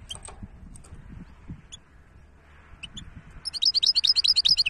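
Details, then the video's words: European goldfinch hybrid: scattered faint high chips, then a loud rapid series of sharp, tinkling twittered notes at a steady quick pace to the end, over low background hum. "تغريد وابداع هجين الحسون"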